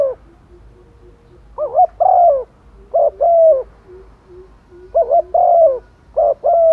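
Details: Hen spotted dove calling males during the rainy season, repeating a low cooing phrase of short rising notes and a longer sliding coo about every one and a half seconds.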